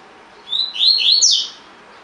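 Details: Single tui tui phrase from a caged collared seedeater, training audio for birds: a rising thin whistle leading into several fast, loud slurred notes over about a second.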